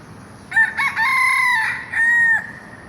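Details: Rooster, a bird that crows throughout the day and even at night rather than only at dawn, giving one loud cock-a-doodle-doo: a choppy start, a long sustained middle note, then a falling final note.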